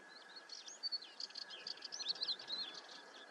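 Common ringed plover giving quick, high, piping notes that tumble into a continuous twittering chatter, with a steady faint hiss and hum behind.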